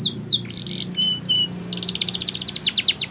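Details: Spanish Timbrado canary training song: scattered falling whistles and thin tones, then a steady quick series of pulsed descending notes, over a low background hum.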